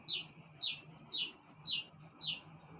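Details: Bird on a balcony singing a fast run of high chirps, each a bright whistle paired with a slightly lower slurred note, about four per second, over a soft low hum.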